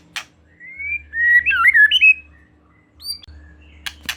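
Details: White-rumped shama lure song to prompt another shama to sing: quieter, varied liquid whistles rising and falling, separated by silence and a few sharp clicks.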